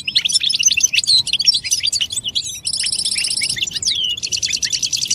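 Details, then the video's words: European goldfinch song for stimulating other goldfinches to sing: quick tinkling twitters and slurred whistles, then two long buzzy rattling trills, the second following a downward-sliding note. "بتبتة الحسون نداءات فعالة في علاج صمت الحسون"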